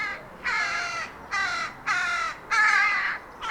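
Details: Rook recorded in the wild giving loud, harsh, hoarse caws, four drawn-out rasping notes about half a second long at irregular intervals, with a fifth starting at the end; quiet background otherwise.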